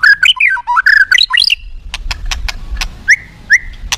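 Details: White-rumped shama singing in an aggressive style that provokes other shamas into revealing their learned song repertoire: a rapid run of varied rising and falling whistled phrases for about a second and a half, followed by sharp clicks and two short upslurred whistles.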